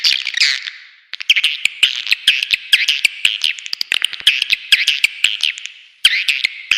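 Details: Lure call for swiftlets: sweeping high twittering bursts, a drawn-out warble first, then a steady train of short rasping chirps broken by brief pauses.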